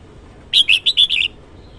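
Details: Morning song of a red-whiskered bulbul: five quick, clear whistled notes in an even, bouncy rhythm, each slightly slurred, delivered in under a second with a soft hiss behind.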